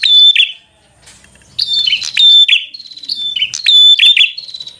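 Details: Vigorous fighter-style song of a bar-winged prinia meant to rouse a rival: bursts of harsh, ringing chirps, a brief quiet gap, then rapid repeated sharp notes.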